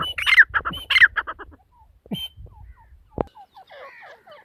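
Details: A female partridge (teetar) opens with a few loud, harsh squawking korak notes that quickly fade, followed by faint scattered chirps and a sharp click.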